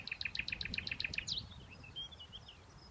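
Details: Common nightingale singing in the afternoon sun, dated 23-05-15: a rapid run of about nine identical, clear, piping notes, then a sweeping whistle and scattered chirps. Faint low background rumble.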